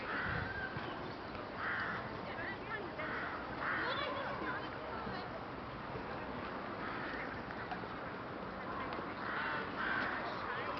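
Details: A flock of rooks in Boscawen Park, Truro, on 8 January 2021 gives harsh, hoarse caws in short bursts every second or two, several birds overlapping, over a steady background hum.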